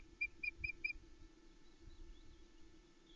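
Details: Nesting female osprey at Loch Arkaig on 27 May 2020, on a nest camera, talking to her mate and keeping him off the eggs: four quick, sharp piping notes, then faint softer chirps, over a steady low hum.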